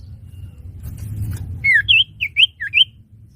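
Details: Common iora used as a trapping lure: after a low background rumble, five clear swooping chirps in quick succession, each dipping and rising.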